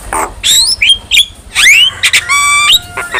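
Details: Javan myna (jalak kebo) master song to make other mynas respond: harsh squawks and a rising swept whistle, then a long flat buzzy note with steady overtones.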